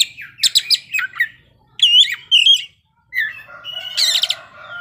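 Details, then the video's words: Kacer (magpie-robin) singing its varied mimicked phrases: quick chirps, a pair of bent whistled notes, a brief silence, then a harsher buzzy chattering passage. "kacer ngeplay bongkar isian"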